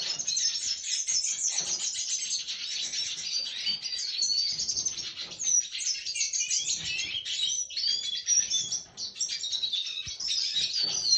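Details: Red siskin singing on 20 December 2023: a long, unbroken stream of high, scratchy twitters and quick chirps. Short whistled slurs stand out here and there, with a brief dip in volume near the end.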